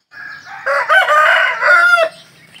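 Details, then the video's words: A male chicken crows once: a soft lead-in note, then a loud, raspy, harmonic-rich cock-a-doodle-doo held steady before cutting off sharply. "Ayam Jantan Berkokok | Suara Ayam berkokok"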